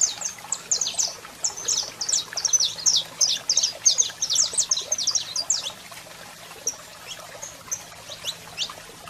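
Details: Saffron finch male singing with a female calling: a burst of quick, high, clipped chirps for about five seconds, then sparse scattered notes trailing off over a quiet background hum.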